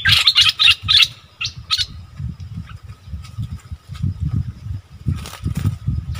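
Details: Wild striated bulbuls, recorded 8 February 2021, arguing fiercely. A quick run of bright, buzzy chattering notes comes in the first second, then fainter scattered notes. A steady low rumble of wind or handling noise runs throughout.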